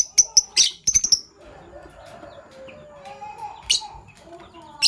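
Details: Fischer's lovebirds of PB Violet and Euwing Gold Opaline colour in the morning: a quick volley of bright, shrill tweets, then quieter background warbling and a few isolated chirps.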